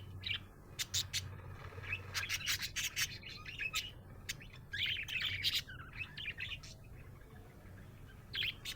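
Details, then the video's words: Happy budgie chirping mixed with sharp clicking and scratchy rubbing noises, warbled notes in short bursts between pauses, over a low hum. "Happy budgie chirping sound"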